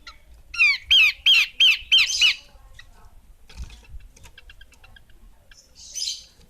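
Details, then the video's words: Female Horsfield's babbler giving six evenly spaced, sharp, downward-slurred chirps in quick succession, then near silence with a single raspy note at the end. "Burung Pelanduk Semak Betina"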